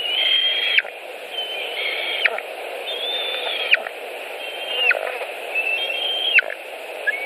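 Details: White-tailed eagles at a Latvian nest with fish on a July 2018 evening: spaced, level high whistles, each ending in a sharp downward drop, about every one and a half seconds, above a constant low hiss.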